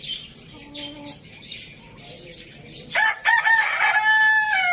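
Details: Village farm rooster: faint small-bird chirps first, then a loud, harsh, strained crow bursts in near the end and holds steady until the recording stops.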